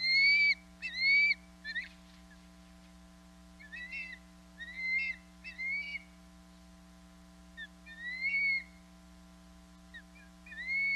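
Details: Osprey female calling from a nest on Hog Island, 27 April 2022, until her mate arrives with fish: irregular series of short upslurred whistles, some loud and others faint, scattered over eleven seconds with low background hum.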